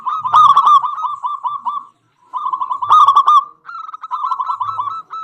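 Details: Zebra dove of a local strain, a strong singer used to stir other doves to answer: three rolling phrases of quick, ringing coo notes, each separated by a brief pause, with louder harsher bursts inside the phrases.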